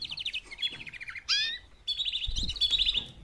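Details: Four female canaries give mating calls meant to prompt males to sing: rapid trains of high chirped notes, a bright rising whistle near the middle, then dense overlapping twittering; a soft low thump partway through.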